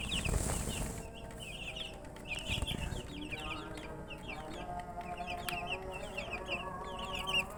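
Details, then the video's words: Many chicks, described as thirsty for drinking water, keep up a dense chorus of high, short downslurred peeps, overlapping almost continuously, with a steady low hum and a brief hiss near the start. "Murgi chicks Chirping sounds"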